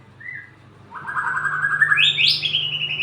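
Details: White-rumped shama singing a brief whistle, then a rapid rattling phrase that steps upward into a high, thin, sustained trill. A constant low hum sounds in the background.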